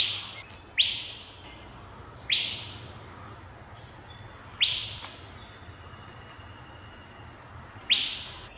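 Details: Asian fairy-bluebird giving five bright, abrupt notes at uneven gaps over about eight seconds. Each note rises sharply, then tails off downward. A faint low hum sits underneath.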